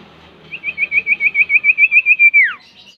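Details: Common iora, called sirtu or cipoh, song used as a lure to get caged birds singing: a quick run of about thirteen clear whistled notes on one steady pitch, ending in a long downward slur, over faint background hiss.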